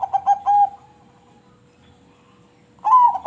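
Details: Crossbred zebra dove singing its melodious song: the stuttered end of one cooing phrase with a drawn-out last coo, then quiet, then a new phrase starting with a bright rising whistled note.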